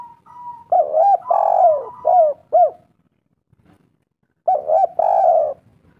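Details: Loud, clear spotted dove coos used as a lure so wild doves respond: clipped double notes leading into a long sliding coo, then a short silence and another phrase.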